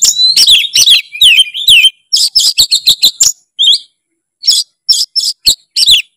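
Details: White-rumped shama master song: dense bursts of sharp, chattering and whistled notes in quick series, a short pause, then spaced clicking notes and a final whistled flourish.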